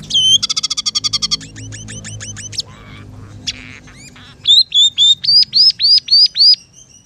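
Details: Scaly-breasted munia (emprit peking) in lively singing, its song described as filled with house sparrow, red siskin and canary phrases: a fast buzzy rattle of about a dozen notes, scattered arched chirps, then a series of clear rising-falling whistled notes repeated evenly.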